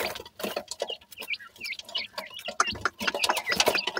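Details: Several dakhni teetar francolin chicks playing, with a busy stream of short rising and falling peeps, about two to three per second and irregular, mixed with tapping and scratching sounds.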